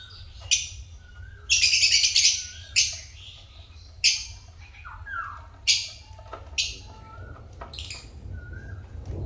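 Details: Pet African lovebirds giving shrill, raspy squawks and chirps at irregular intervals, about three a second at times, mixed with faint softer whistled notes and a constant low hum.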